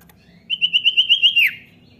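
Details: Common iora call used to prompt a young bird into song: one run of about eight quick, even high chirps on a steady pitch, ending in a sharp downward slur.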